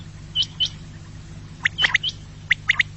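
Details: Quail voice played to lure birds for hunting: brief high whistled notes early, then clusters of sharp, quick chirps repeated several times, with a constant low background hum.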